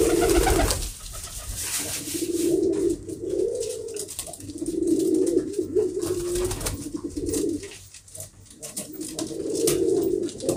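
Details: Domestic pigeons in a fancier's loft, repeated low rolling coos in bursts of one to two seconds separated by short pauses, several phrases across the stretch, with light rustling and clatter.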